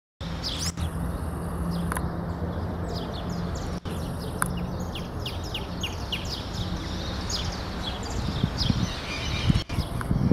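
Wing-banded hornero song: a fast run of sharp, high chirping notes, steady for several seconds, over a heavy low rumble of background noise.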